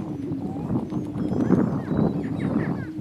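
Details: Two male greater prairie chickens battling for dominance on a lek in northeast Kansas: a steady low hooting drone runs beneath short bursts of rougher cackling and higher squeaky notes, with muffled scuffling throughout.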